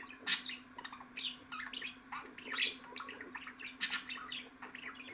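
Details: Budgerigar twittering: rapid squeaky chirps and short warbled phrases with a few loud harsh clicks, carried over a soft steady background hum.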